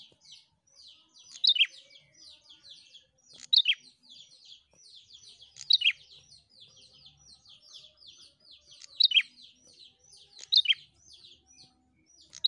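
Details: A prinia gives loud, high, sharp double notes about every two seconds over thin, rapid chirping and ticking; the recording is used to stimulate other prinias to sing.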